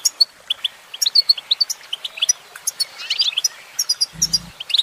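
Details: Goldfinch female in song, giving a rapid, continuous twitter of sharp high tweets and tinkling notes, busy and irregular throughout, with a short low thump near the end.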